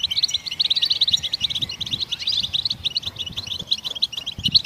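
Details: Goldfinches singing to set other songbirds singing: a quick chain of bright chirps and tinkling notes, busiest at the start, then breaking into evenly spaced short twitters.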